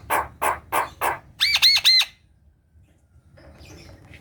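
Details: Captive black-winged myna singing energetically, a lure for a lazy kept bird that will not sing: four harsh rasping squawks at steady spacing, then three quick ringing whistled notes, followed by near silence and faint chatter.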